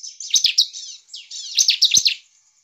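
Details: Bar-winged prinia in energetic full song, used to provoke other prinias into singing. Two rapid, high, scratchy chattering phrases of about a second each, packed with sharp chips and trills, separated by a brief pause; no other sounds.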